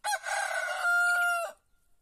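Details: Before sunrise in a village in Andalusia, Spain, a white rooster gives one complete crow of about one and a half seconds. It has a rough stuttering start and a smooth, held, ringing ending, followed by silence.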